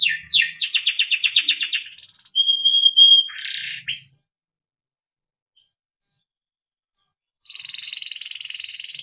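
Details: Song of a Timbrado canary for training: a rapid rolling trill, a thin held whistle, then a harsh burst, followed by a pause of near silence and a softer buzzing trill at the end.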